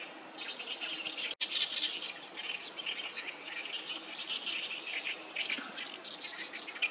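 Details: Along the Sawatari River on 7 June 2024, a crowd of oriental reed warblers keeps up grating, chirping song phrases. The birds overlap steadily, and a brief click sounds near the start.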